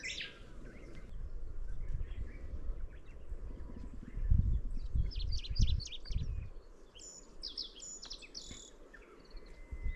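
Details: Middendorff's grasshopper warbler song: a fast run of clipped, repeated notes in the latter half, preceded by heavy low thumping and rumbling noise, with a faint thin whistle near the end.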